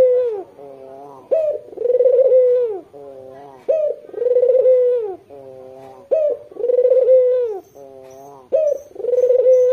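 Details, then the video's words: Red-eyed white Barbary dove cooing steadily to attract local doves: four rhythmic phrases, each with a quick rising onset and a drawn-out rolling coo, alternating with faint level droning notes between phrases. "Puter putih mata merah gacor dor buat pancingan puter lokal anda"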